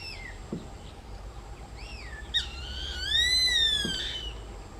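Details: A male White-eyed buzzard, displaying to a female during a pair's mating display, gives a couple of short mewing notes, then a long, plaintive, arched whistle rising and falling, over a low background rumble.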